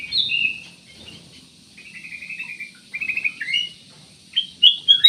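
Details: Black-naped oriole singing: bright warbled phrases that slide up and down, with short gaps and a quick rising flourish at the end.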